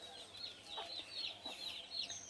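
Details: Flock of desi chickens on an inexpensive farm: soft, high, down-slurred peeps repeated in quick succession by several birds, with quiet low hum underneath.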